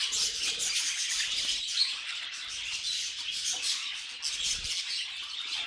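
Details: Several pet budgerigars sing in an unbroken stream of gritty chirps and high squeaks, with a sharper squawk standing out now and then and occasional low bumps underneath.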